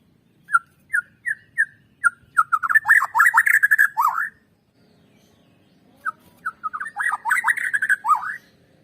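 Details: Lure song of a white-rumped shama, played to make other shamas sing: a few spaced short whistles, then a fast dense burst of looping warbled notes, a silent gap, and the pattern again.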